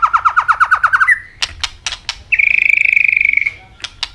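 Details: Asian robin song: a quick rising trill of repeated notes, a few sharp clicks, then a long buzzy, vibrating note held for about a second before more clicks.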